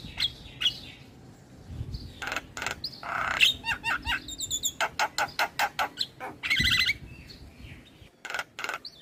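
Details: Javan myna song used as a lure to draw replies from other starlings: a rapid series of harsh broadband clicks and rattles mixed with a few whistled notes, with a faint low hum underneath.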